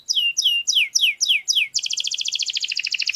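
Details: Canary song for teaching young canaries to sing from scratch: six clear, downward-sweeping whistled notes, then a fast, even, high trill of rapidly repeated notes running to the end.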